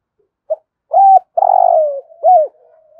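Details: Spotted dove in the resonant "thổ rền" voice: a short soft note, a level coo, a long rolling drawn-out coo sliding down, then a hooked closing note, with faint murmuring after.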